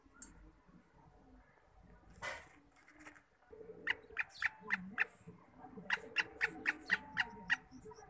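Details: Kept black partridge calling: a series of sharp, clipped notes repeated about four times a second in two bursts, after a few scattered noises and a brief rustle.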